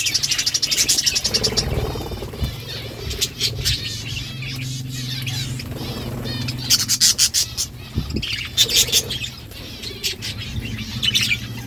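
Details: Budgies eating seeds, giving bright, chattering chirps in quick bursts, with sharp crackling ticks throughout and a steady low hum underneath.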